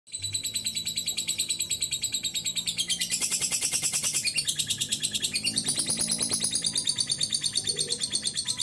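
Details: Lovebird giving a long ngekek trill, used as a lure to stimulate other birds to sing: rapid high chattering pulses repeated about three times a second, continuous throughout, with a brighter, denser burst in the middle.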